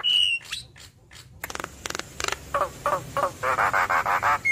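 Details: A Javan myna with yellow eyes in busy chattering song: an opening whistle, then a steadily repeated series of coarse rasping bursts, about three per second, building louder before a closing short whistle.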